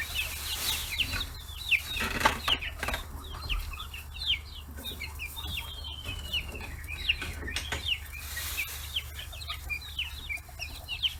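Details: Flock of 40-day-old chicks crowding fish heads on a free-range poultry farm in Kitahiroshima, Japan; continuous high chirping from many birds, with occasional clicks and thumps and a constant low hum.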